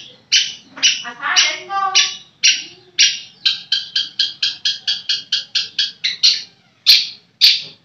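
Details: Long-tailed shrike (cendet) in captivity producing a quickening series of clipped, nasal chattering notes that runs into a rapid even stutter, then ends with a few louder isolated harsh calls.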